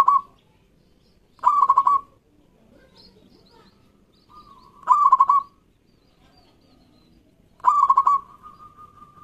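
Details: Local zebra dove in loud captive song, meant to get quiet doves singing: four bubbling rolling coos spaced roughly two to three seconds apart, some with a soft introductory note and a lingering level tail.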